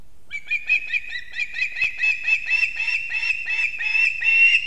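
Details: Osprey at a nest in Kurzeme, Latvia, on a live nest camera early on the morning of 3 September 2024, as the male arrives with two fish for the chicks. A long, rapid run of high, piping whistled notes grows louder toward the end, over faint low background rumble.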